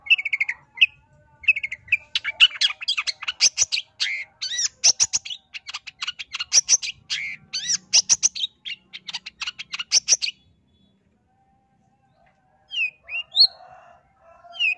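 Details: Long-tailed shrike lure song for provoking other shrikes: a few whistled notes, then a long, rapid stream of harsh chatter lasting several seconds, a pause, and a few final squeaky notes.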